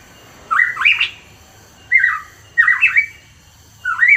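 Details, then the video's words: Hooded pitohui heard as a lure recording for songbird keepers: four short bursts of harsh, slurred notes, each falling then rising, spaced about a second apart with quiet gaps between, over a soft low hum. "PANCINGAN PITOHUI KEPALA HITAM"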